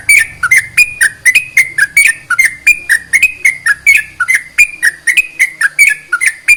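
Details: Sooty-headed bulbul song meant to stimulate other bulbuls to sing: steady, energetic chatter of short whistled notes alternating high and low, roughly three per second, continuing throughout.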